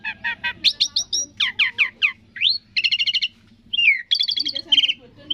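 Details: Black-winged starling (jalak suren) singing a varied run: chattering notes, rising whistles and buzzy trilled bursts, switching phrase types every half second, with low background hum and faint music.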